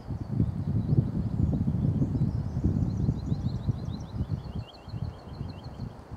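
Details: Spring Woodlark at Dersingham Bog NR, 28 April 2013, giving a fast string of repeated high lilting notes in the second half, partly masked by gusty wind and rustling.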